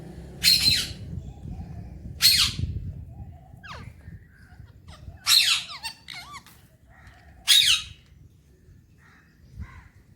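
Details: Pet Alexandrine parakeet, a talking parrot, enjoying morning time; four loud harsh screeches roughly every two seconds, with soft squeaky whistles between them and low room noise.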